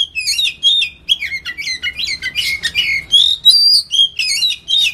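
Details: Oriental magpie-robin in a sustained "ngetem" song used as a trigger sound: loud, clear whistled phrases with sweeping slurs and sharp chips, varied notes following in quick succession with almost no pauses.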